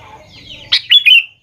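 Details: Sooty-headed bulbul sound used as a lure to make young bulbuls respond and sing; a faint wavering high warble, then three loud, clear chirps: a sharp stab, then two whistled notes sliding slightly downward.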